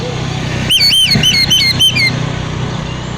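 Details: Oriental magpie-robin giving a short run of clear, repeated whistled notes over a steady low engine hum, meant to provoke other magpie-robins into answering.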